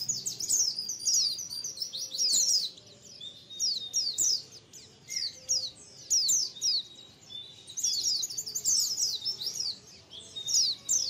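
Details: White-eye colony calls used as a lure: many high thin twittering notes, quick descending chips overlapping in dense bursts with short pauses between them.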